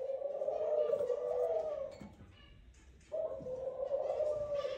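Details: Male Eurasian collared dove at the nest, courting and calling his female: two prolonged, humming coos of about two seconds each separated by a short quiet gap.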